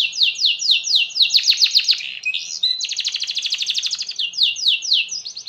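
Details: Canary in full long song, said to prompt other canaries to sing: rapid repeated high trilled phrases, sweeping notes sliding down, then a fast buzzy rattle and further quick trills.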